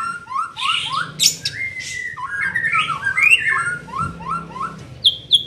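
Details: Young white-rumped shama during mental training, giving a varied song of short whistled upslurred notes, buzzy phrases and sharp high chips, delivered rapidly and irregularly with a faint low hum behind.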